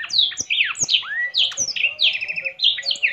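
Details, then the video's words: Energetic blackthroat song while the bird spreads its wings: loud, fluty whistles curving up and down, some long sweeping slurs, strung rapidly together, with occasional sharp clicks. "Burung blackshot gacor sampai buka sayap"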